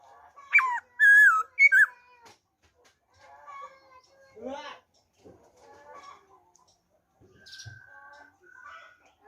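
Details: Black-throated laughingthrush giving wild-type song on 26 December 2020: loud, twisting whistled notes at the start, followed by quieter, varied chattering and warbled phrases and a few thin steady whistles.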